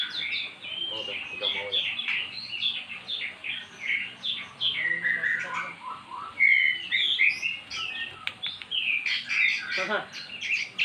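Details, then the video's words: Previously silent caged magpie-robin answering recorded song: a dense, continuous stream of rapid chirps, slurred whistles and trills at a high pitch, with a steady background hum. "Burung Murai jadi GACOR setelah dengar kicauan di YOUTUBE"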